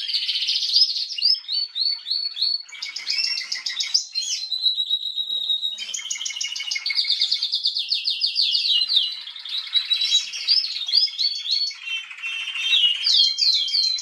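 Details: Female canary singing on 21 January 2022: a continuous high, bright song of fast rolling trills, buzzy stretches and sweet whistled slides, shifting pitch between phrases. A brief level tone sounds in the middle. No other sounds.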